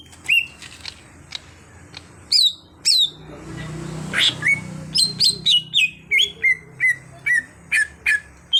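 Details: Greater green leafbird (cucak hijau), an untrained bird in training to sing freely: scattered sharp chirps, then a quick regular series of downslurred whistled notes, roughly three per second, over a soft hum.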